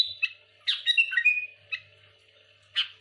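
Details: Sooty-headed bulbul giving scattered harsh chirps and a brief warbled phrase between quiet gaps, part of a song meant to provoke rival bulbuls.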